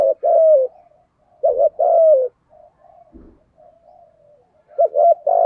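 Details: Spotted dove singing the 'giọng thổ' voice, prompted to coo quickly: repeated phrases of two short hoots and a long falling coo, soft low murmurs between, and a faint thump midway.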